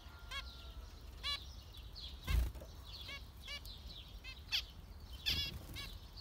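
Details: Zebra finch calls: short nasal, harmonic-rich beeps spaced irregularly about a second apart, some brief and clipped, with a faint low rumble and a soft tonal hum early on.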